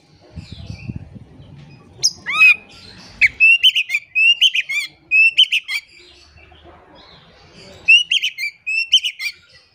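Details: Oriental magpie-robin singing as a lure to draw song from silent magpie-robins: a steeply rising whistle, then a fast series of rich warbled notes in quick bursts, with some low rustling at the start.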